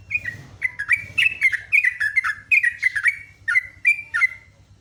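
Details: Morning song of a sooty-headed bulbul, heard live: a quick string of whistled, slurred notes in bouncing groups over a steady low electrical hum.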